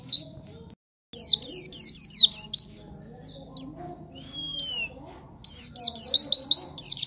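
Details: Oriental white-eye singing for a training recording: bursts of rapid, high, sweeping chirps separated by quiet gaps, with one clear, drawn-out whistle midway and soft background bird chatter.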